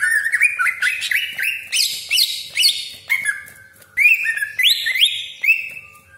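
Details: Greater green leafbird in energetic 'tembakan' song with harsh 'besetan' and long rolls, used as a lure to provoke other leafbirds into singing; dense bursts of sharp, high, down-slurred whistles and buzzy chatter, repeated roughly every second, with no other sounds.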